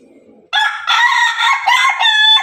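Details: Pelung and Ketawa roosters crowing together; faint low clucking gives way to a loud, sustained, multi-part crow lasting about two seconds, rich in harmonics, with a steady pitched ending.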